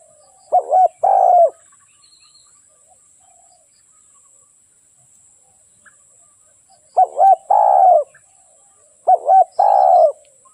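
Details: Spotted dove kept as a trapping lure utters three separate coo phrases, each a brief hooked double note and a longer falling coo, spaced by long silences.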